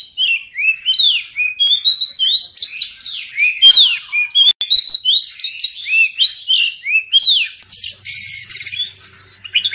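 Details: Oriental magpie-robin delivering a lively run of whistled slurs and sharp chirps. Near the end comes a harsher, noisy rattling burst, followed by a clear sustained whistle.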